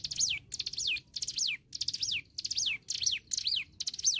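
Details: Hill prinia in lively song, used as a tutor recording for songbirds: eight quick phrases in steady succession, each a brief cluster of sharp high notes that slides into a falling whistled note, with soft low background rumble.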